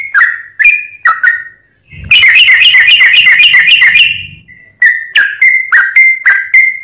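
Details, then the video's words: A lure recording of a sooty-headed bulbul mixes separate whistled notes with a two-second burst of fast, bubbling chirps in the middle, then returns to spaced sliding whistles. "trucuk gacor || trucuk pikatan"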